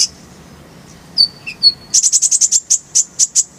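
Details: Masteran recording of a purple-throated sunbird singing its rolling style: a few scattered thin whistled chirps, then a fast, steady run of piercing very high notes lasting nearly two seconds.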